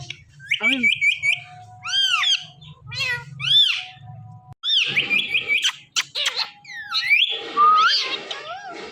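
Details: Pet parrot repeating the word "Mithu" indoors, giving rapid arched harmonic syllables, bright chattering bursts and drawn-out whistles, with brief pauses between phrases and a faint low hum beneath.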